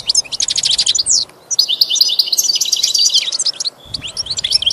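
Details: Goldfinch song used to coach a pet goldfinch: a quick rattling trill, a brief pause, then an extended buzzy, twittering phrase and scattered chirps, faint hiss behind.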